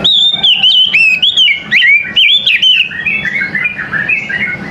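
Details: Oriental magpie-robin morning song. Strong whistled notes rise and fall in rapid, varied phrases, then fade into softer warbling over a low hum.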